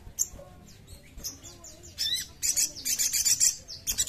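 A crimson sunbird sings a high, thin, rapid twitter of quick downward slurs and sharp chips, growing busier after two seconds, over a faint low hum.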